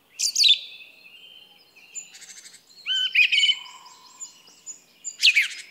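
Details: A song thrush sings shrill squeaky bursts, soft rattles and clear whistled notes repeated in short series, with brief gaps between phrases.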